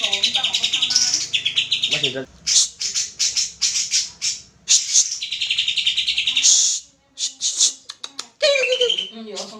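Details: Greater green leafbird song used as a lure to make birds sing: busy, varied high chatter of quick chirps, trills and whistled notes, broken by brief gaps, with a few lower slurred notes near the end.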